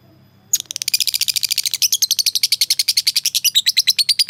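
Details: Lovebird, a fighter-type bird, calling to a rival with a long rapid chattering ngekek: harsh chirps start after half a second and repeat about ten times per second, steady and unbroken until the end.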